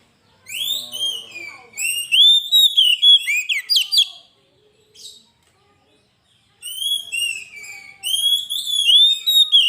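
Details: Oriental magpie-robin (kacer) in full, lively gacor song used as a training master and lure: loud whistled phrases with rising and falling slurs, sharp chirps and buzzy notes in rapid bursts, a pause midway, then renewed whistling.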